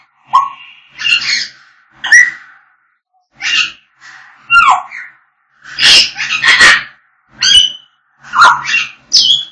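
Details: African grey parrots singing and whistling: a busy run of mixed whistles, squeaks and harsh bursts roughly every second, some notes sliding up or down, others noisy and broad.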